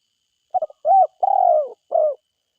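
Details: One full phrase from a forest spotted dove: two quick soft notes, an arched coo, a long drawn-out coo that slides downward, and a final shorter coo. The whole phrase lasts under two seconds in otherwise silent surroundings.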